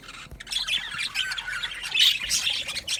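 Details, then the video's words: Short burst of aviary budgerigar chatter: several loud, squawking chirps and warbled notes stand out above a softer twittering crowd, growing louder toward the middle. "Budgies Chirping sounds"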